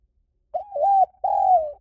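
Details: Spotted dove lure call: two drawn-out mellow coos, the first wavering after a brief lead-in, the second sliding slowly lower, with no other sounds.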